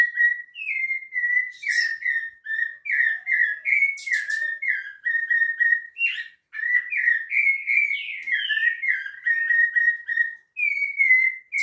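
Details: At Piedade a rufous-bellied thrush pours out a long, even series of mellow two-part whistled phrases, each slurred, repeated roughly twice a second, with occasional sharp clicks in the background.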